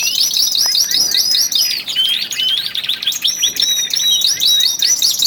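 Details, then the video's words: Male canaries, twelve caged birds, in early February, singing with rising intensity before spring; dense high chirps and looping whistled notes overlapping, rapid trills and rising sweeps from several birds at once. "canary song II"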